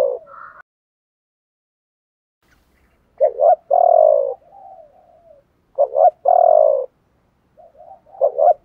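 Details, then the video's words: Spotted dove cooing, male and female voices, used to stimulate captive doves to sing, 'chiêu ba hậu' style; short doubled notes then a long low coo, phrases repeated about every two and a half seconds against silence. "tiếng chim cu gáy chiêu ba hậu"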